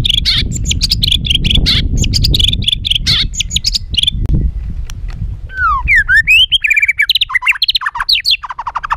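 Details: Agitated rough song of a white-rumped shama, used to rile other birds: a burst of harsh, scratchy rapid notes, then clear slurred whistles rising and falling in quick succession.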